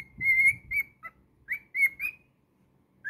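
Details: Pet cockatiel singing: bright, clear whistled notes, some drawn out and gently rising and others short, in a phrase of about two seconds, then a pause and one more whistle.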